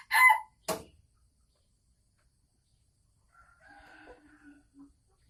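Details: Caged Sumatran red junglefowl hen about to lay eggs: two sharp loud notes in the first second, silence, then quiet murmured clucks toward the end.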